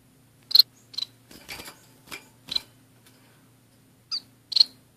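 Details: Two orange-cheeked waxbills kept with a society finch in a small indoor cage: short high chirped calls at irregular intervals, interspersed with rustling, scratching and perch clicks from the birds moving about.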